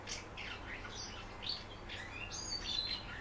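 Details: Common house martin kept as a pet, urged to perform: quick scratchy twitters and buzzy chirps, a few short rising notes, continuing throughout against a faint low hum.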